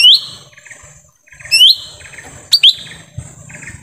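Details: Forest lesser green leafbird, used to attract wild birds, sounds a bright rising whistle, another a second later, then a quick double note, over low buzzy chirping in the background.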